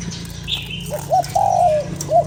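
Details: Spotted dove coo used to excite a decoy bird: a soft lead-in note, a short hoot, a long slurred falling coo and a final brief note, over a steady low droning hum.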